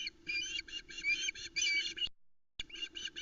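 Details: Osprey female at the Loch Arkaig nest calling over the male's trout delivery; dense, overlapping shrill chattering notes for two seconds, a pause, then a few more, with low rumbling background.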